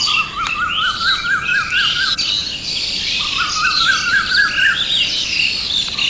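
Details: An Asian koel's morning call: two quick runs of sharp, repeated notes that climb slightly in pitch, over a dense chorus of higher birds and insects.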